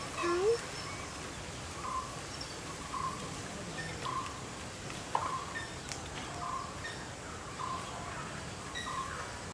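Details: A very young juvenile common hawk-cuckoo at Kaikondrahalli lake, Bangalore, in January 2020 gives short, thin, mid-pitched notes about once a second, over a soft rural background hiss with a brief human sound at the start.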